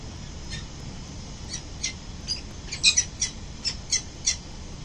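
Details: Peregrine falcon pair returning at dawn to the nest on a building, 22 November 2024; scattered raspy notes building into a sequence of louder harsh calls roughly every third of a second, quiet low background.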